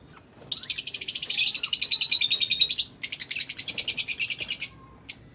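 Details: Caged budgerigars in an aviary, singing while playing and feeding. Two long runs of fast, scratchy, pulsed warbling, many notes per second, separated by a short break and ending with a single chirp.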